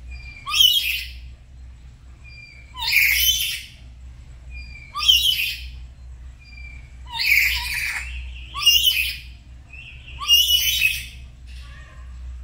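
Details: Black-capped lories kept as pets at home, a pair duetting one morning as they learn 'gacor' singing; six loud, grating squawk bursts, each opening with a short upslurred note, spaced roughly two seconds apart above a low hum.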